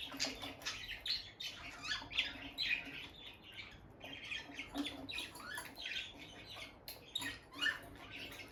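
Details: Peach-faced lovebirds, a bonded pair kept indoors, the female going in and out of a nest box as both stay close; dense high chirps and squeaky twitters pour out almost continuously, with a faint low hum beneath.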